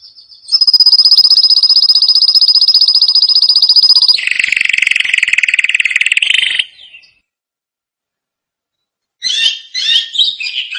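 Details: Canary singing to train young canaries: a long high rapid trill dropping abruptly into a lower buzzy roll, a pause, then a few scratchy chirps.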